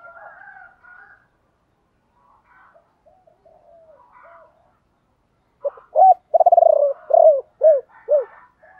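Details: Decoy spotted dove calling ba hậu to lure wild birds: soft low murmuring and quiet coos for several seconds, then a sharp note, a rapid rolled trill and three loud arched coos.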